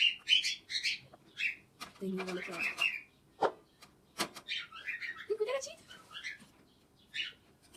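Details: A pet parrot calls and chatters: shrill, clipped whistles and squawks in quick bursts, a short run of lower speech-like syllables near the middle, and sharp clicks in between.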